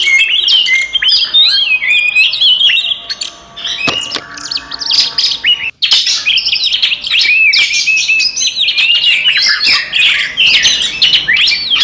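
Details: Oriental magpie-robin in full fighting song to provoke rivals: a dense, rapid torrent of chips, trills and whistled slurs, briefly breaking near the middle before resuming at full volume.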